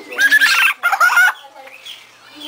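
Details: A pet parrot, in a shop while getting wings clipped and beak filed, gives two harsh, raspy clucking bursts in quick succession, much like a chicken, followed by quiet room noise with faint human voices.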